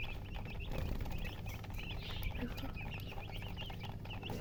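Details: Just-hatched chicken chicks peeping loudly: many short high chirps, often slurred or rising, overlapping in a busy chorus, with a steady low hum beneath.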